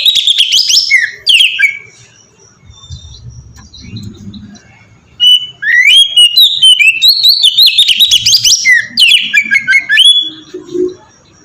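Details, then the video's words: Ngeplong-style song of an oriental magpie-robin, played as a lure to spur other birds into song: bright whistled phrases and twittering, a pause of soft low rumbling midway, then a long dense burst of fast varied whistles and trills. "suara burung kacer ngeplong merdu sangat ampuh buat pancingan kacer bahan bikin cepat gacor"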